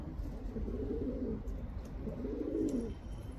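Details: Two deep, rolling coos from a male pigeon calling a female, each a throaty murmur lasting about a second, separated by a brief gap.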